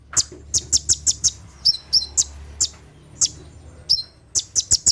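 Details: Tembakan song of an olive-backed sunbird (konin) after dark, used to train caged birds: piercing high chirps in quick groups of three or four, mixed with short downslurred notes and a brief pause midway.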